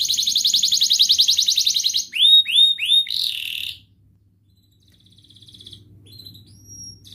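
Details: Canary song played to coax silent canaries into singing: a dense buzzing trill, three clear swooping whistles and a short rattle, then quiet with faint distant notes.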